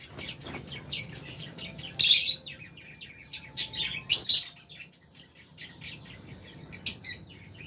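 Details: Albino and Fisher's lovebirds chatter softly, broken by three loud piercing chirp bursts near two, four and seven seconds.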